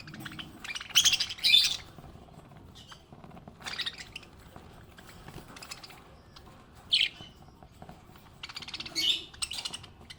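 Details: Happy pet budgerigar giving scattered scratchy chirps and short rasping bursts, several loud clusters separated by quieter gaps, low background hum throughout.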